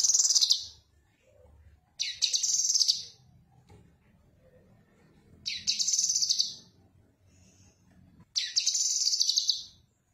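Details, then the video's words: Song of the Cucak kinoi, a bird recording offered for training other birds: four short, high, rasping chatter bursts about every two to three seconds, each a quick jumble of buzzy notes, over soft low background noise. "Suara Khas Burung Cucak Kinoi Untuk Masteran"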